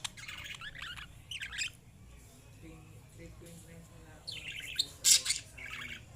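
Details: Lovebirds chirping in short clusters of high, scratchy notes, a loud sharp squeak near the end, separated by quiet gaps over a steady low hum.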